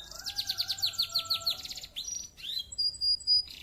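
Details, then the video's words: Bright canary song: a rapid series of repeated sweeping chirps, then upward-slurred notes and a long, pure, steady high whistle near the end. "Suara Burung kenari Gacor , suara jernih bikin emosi lawan"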